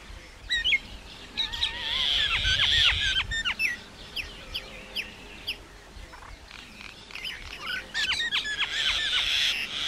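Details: A common myna gives a busy, uneven song. Scratchy, rasping bursts are mixed with scattered steep whistled downstrokes and a few lower, wavering tones.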